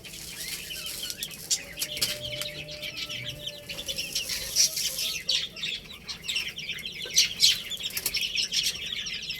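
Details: Little chicks playing, producing dense, continuous high chirping from several birds at once, rapid and irregular, with occasional soft clicks and fluttering sounds.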